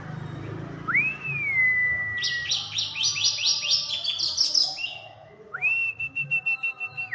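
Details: White-rumped shama singing vigorously: a rising then sustained whistle, a rapid run of sharp, high repeated notes, then another long level whistle ending in a fall.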